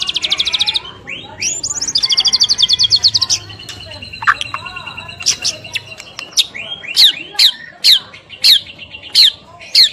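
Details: White-rumped shama singing in the morning, used to spur other shamas to sing: fast trilled rattles and buzzy notes, then a clear descending whistle and a string of sharp, evenly spaced high chips.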